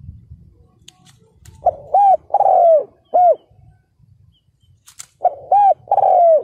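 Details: Ground decoy spotted dove provoking wild males with repeated cooing phrases of short arched coos and a long drawn-out falling coo, plus a few faint clicks between phrases.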